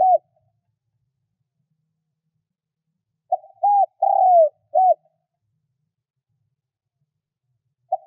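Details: Spotted dove kept as a decoy to lure wild birds, giving one cooing phrase of four notes ending in a long falling coo and short final coo, amid long silences.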